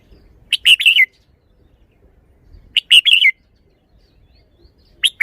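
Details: Red-whiskered bulbul from Thailand showcasing its singing phrases: crisp, rapid chirped phrases of several quick notes, the second phrase about two seconds after the first, a third just starting at the end.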